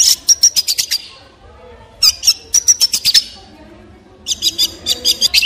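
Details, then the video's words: A long-tailed shrike gives three quick bursts of harsh, scratchy chattering notes laced with a thin high whistle, each about a second long with short pauses between. "Long Tailed Shrike With Beautiful Sound"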